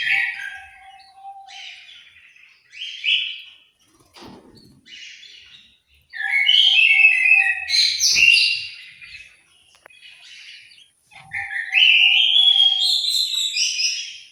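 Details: Orange-headed thrush in an aviary in Malang, East Java, giving loud bursts of rich, varied warbled phrases between pauses, with a steady lower whistled tone running beneath in places.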